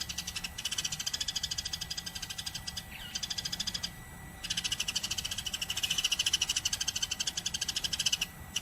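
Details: Sparrow in nonstop vigorous song, a long stream of fast, high, pulsed chirping notes with only two brief breaks, steady and insistent throughout, over a faint low hum.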